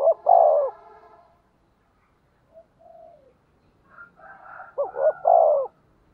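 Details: Spotted dove kept as a decoy to attract wild doves: a loud clipped-then-long coo phrase, soft falling murmurs, then a louder wavering coo leading into another strong two-note-and-long-coo phrase.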